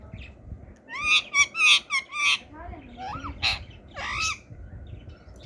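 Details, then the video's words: Talking ring-necked parakeet at home, uttering a fast string of raspy, speech-like syllables followed by a couple of rising squeaky notes and a harsh squawk, with low background hum throughout. "ring neck talking parrot"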